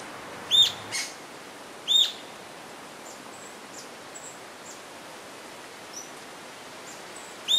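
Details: Rufous-tailed jacamar: sharp high whistled notes given irregularly, two close together then one more at the end, with faint distant chirps and steady natural background hiss.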